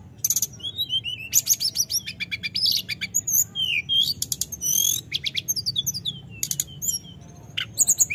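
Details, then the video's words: Snowy-browed flycatcher in full, nonstop calling: dense bursts of sharp high ticks and chirps alternate with brief sweeping whistles and twittered phrases, separated by short pauses, over a soft low background hum. "SUARA PANGGILAN TLEDEKAN GUNUNG FULL GACOR NGEROL"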